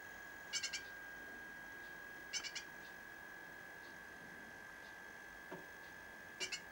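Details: Rescued fledgling great tit chick giving quiet bursts of three short, harsh, buzzy high calls, spaced about two seconds apart, over a steady thin electrical whine and faint background hiss.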